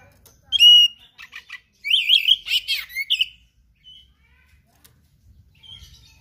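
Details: Kacer, the oriental magpie-robin, singing actively with varied rare material: a bright rising whistle, short clipped chips, then a dense warbling run of slurred high notes before fading to quiet.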